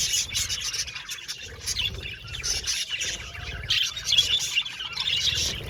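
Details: Aviary budgerigar colony giving busy high chirps, squeaky warbles and occasional sharper squawk-like notes in overlapping bursts, with a low background rumble.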